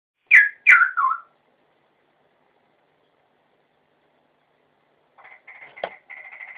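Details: Straw-headed bulbul during pairing: three loud, clear whistled notes that slide downward within about a second, then a pause, then a faint, rapid, buzzy chatter near the end.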